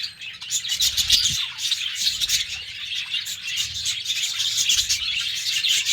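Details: Morning chorus from a cage of pet budgerigars: busy, scratchy chattering and chirps from several birds, with a few low thumps early on and a constant warbling throughout.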